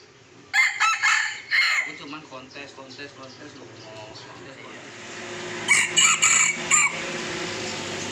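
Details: Red junglefowl crowing during traditional decoy luring of young wild junglefowl in Sumatra, Indonesia: two bursts of harsh, broken crows, the first around the start and a second near the end, with lower chatter and background murmur between them.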